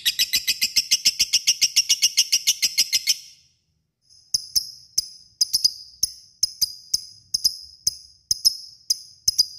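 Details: Lovebird in ngekek, a long chatter meant to call an opponent; a fast run of harsh buzzy pulses for about three seconds, a short silence, then sharp clicking ticks repeated a few times per second.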